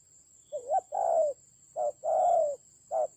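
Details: Spotted dove in a fierce fight with a decoy bird, Central Highlands forest, Vietnam, 19 October 2020: low hollow coos, each short note followed by a longer drawn-out one, repeated about once a second, over a steady faint high whine.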